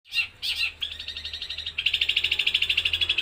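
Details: Caged eight-month-old long-tailed shrike from Jember, East Java, singing imitation material (gereja, kuntilanak and tengkek buto) in one breath: two buzzy chirps, then a fast, even, high trill of about four notes a second.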